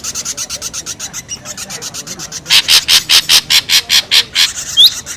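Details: Noisy ashy drongo lure sound: a steady, even train of short rasping notes, roughly two or three per second, growing louder halfway through, with one thin whistled note near the end.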